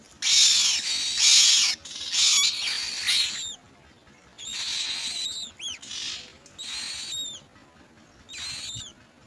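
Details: While gathering insects for their young, common mynas give loud, grating, hissing bursts, then several quick upward-curving whistled notes and softer scratchy calls fading out.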